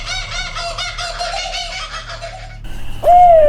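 Barred Owl calling: a wavering, mid-pitched hooting run for about two seconds, then after a brief break a louder, clear hoot that rises and then falls away.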